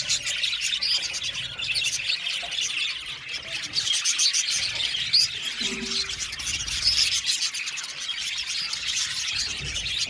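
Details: Many blue male budgies chirp and warble at once, a lively high-pitched chatter of squeaks and tweets with occasional brighter whistled notes over ten seconds.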